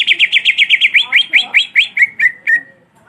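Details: Cucak ijo, a greater green leafbird with a long black muzzle, singing continuously: a fast series of bright, sharp chirps about six per second that slow and drop slightly in pitch toward the end.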